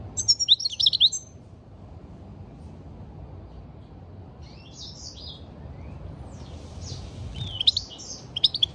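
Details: Goldfinch song used as a stimulating call. A burst of high liquid twittering opens the recording, then comes a long pause and a few softer slurred notes. Another twittering burst closes it.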